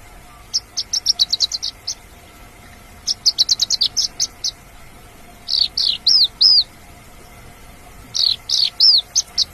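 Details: Mongolian lark singing in the wild: bright, high phrases of rapid chirping and slurred notes, bursts about every two and a half seconds, over a faint steady hum.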